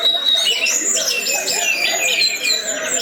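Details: Brief burst of orange-headed thrush song in the 'gacor teler' style, a tumble of high clear whistles and slurred warbles delivered in quick succession.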